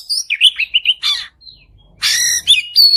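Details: Oriental magpie-robin singing 'gacor' to prompt another bird to sing: quick warbled whistles, a harsh buzzy burst, a short pause, then a long scratchy rattle ending in a clear high whistle.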